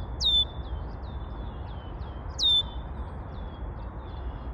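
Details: Singing red-winged blackbird repeating a loud, piercing downward-sliding note that settles into a drawn-out high whistle, two phrases roughly two seconds apart, faint high chips in between, over steady low background rumble.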